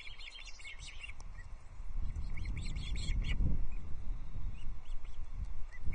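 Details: Osprey chicks at a Loch Arkaig nest, 14 June 2024, during a trout feed with three chicks: about three seconds of quick, high, repeated chirping, then the calls fade under low rumbling wind noise with a few stray notes.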